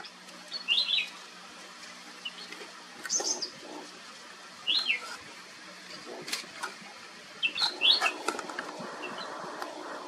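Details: Flame-throated bulbul, endemic to southern peninsular India: short bursts of bright, slurred notes in small clusters every couple of seconds, with a few sharp clicks and rustles between them.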